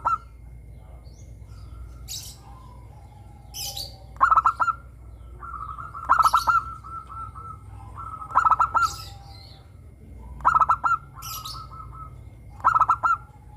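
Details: Zebra dove, local bird, singing busily in the morning with others: regular phrases of rapid staccato notes that slide into a held coo, repeated about every two seconds, with softer answering coos and a low background hum.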